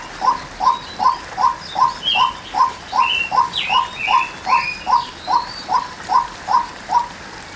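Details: A female white-breasted waterhen calls with steady, short mid-pitched notes about two and a half per second. Louder high whistles and chirps from other birds overlap in the middle.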